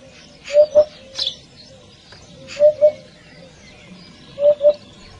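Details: Eurasian hoopoe calling to its flock with low, soft hooting notes in quick pairs or triplets, 'oop-oop', repeated about every two seconds, with faint higher chirps from other birds behind.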